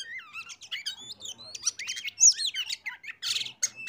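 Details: Loud, rich oriental magpie-robin song played as a lure so other birds join in: a continuous rapid mix of whistles, upslurred and downslurred notes and buzzy chirps, varied phrase after phrase without pause.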